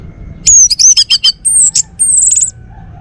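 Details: Male Bali orange-headed thrush, a bird kept at home, singing loudly: quick varied whistled phrases with sharp downslurs, then two high, thin, buzzy trilled notes, the whole burst lasting about two seconds against a low background hum.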